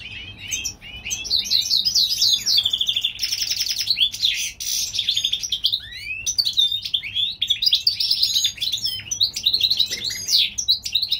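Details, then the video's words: European goldfinch hybrid, California, spring: a long, lively warble of chattering twitters, quick trills and sweet slurred notes with short breaks between phrases. "European gold finch Hybrid/ The Spring time."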